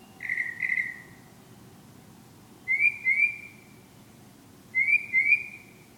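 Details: Night-singing bird said to be crooning love songs, giving three paired whistles; the later pairs are quick rising slurred notes, spaced roughly two seconds apart against faint hiss.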